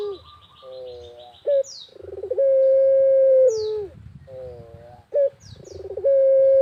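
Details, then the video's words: Countryside barbary dove, pelung type, in full vigorous voice: wavering low notes, a sharp short note, a stuttering pulsed lead-in and a sustained level coo, repeated twice, while other birds chirp high above. "BURUNG PUTER GACOR SAMPAI MEREM MELEK"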